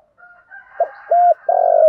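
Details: Spotted doves, male and female, calling to stimulate kept birds. Faint high tones lead into a short coo and a clear held coo, then a long rough coo that is cut off abruptly.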